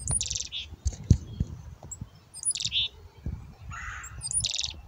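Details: Black-capped chickadees at a hand-feeding spot call repeatedly: sharp high introductory notes then clusters of buzzy 'dee' notes, three bouts in a few seconds, over low thumps and handling noise.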